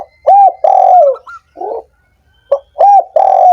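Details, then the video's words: Two spotted dove phrases meant to stir reluctant doves to sing, each a brief note, a rounded coo and a long hoarse coo sliding down, with a soft murmur in the pause between. "suara PERANGSANG burung tekukur yang malas dan macet bunyi"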